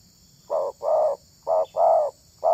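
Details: Spotted dove luring other doves with low, full coos in two short-long pairs, the longer note steady and hollow, over a quiet background.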